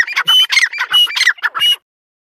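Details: Short burst of loud, harsh, strident calls from a female partridge, about six rasping notes in under two seconds, then silence.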